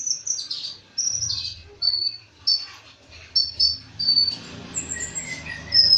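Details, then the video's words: Olive-backed sunbird, locally konin dacok, giving high thin whistles and chirps in scattered bursts, partly blurred by a hissing, noisy background and low hum. "KONIN DACOK GACOR"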